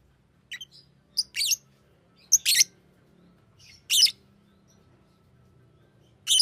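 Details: Fischer's lovebird uttering brief shrill chirps and squeaks in small bursts every second or so, with a soft low hum underneath.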